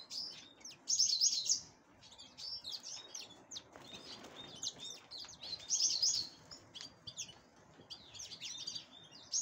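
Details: Black-headed canary song while preparing for breeding: long stretches of high, jumbled chattering and twittering with brief bright trilled phrases, over constant background hiss.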